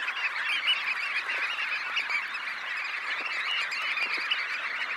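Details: Some 20,000 red knots rising from a high tide roost, close up: loud, even hubbub of rapid overlapping calls forming a constant chattering mass.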